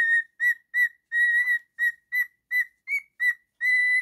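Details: Male pet cockatiel whistling a run of about eleven short, clear, level notes of similar pitch, each a fraction of a second long, the last note held longer; nothing else heard.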